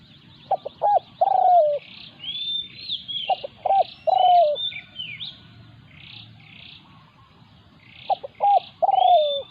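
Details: Territorial encounter between a caged decoy spotted dove and a wild local bird: three cooing phrases, each two or three quick clipped notes ending in a long descending coo, roughly every three seconds, with chirps and whistles of other birds.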